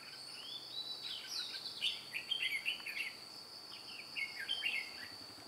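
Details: Trapping session on 2 July 2018 with a white-cheeked red-whiskered bulbul used as a decoy for wild birds: a rising whistled slur followed by jumbled, chirpy warbling phrases, a loud buzzing insect drone steady behind.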